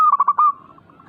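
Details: Zebra dove (perkutut) coo fragment: four quick rolling pulses at one pitch ending in a held note, with soft echoing coos after.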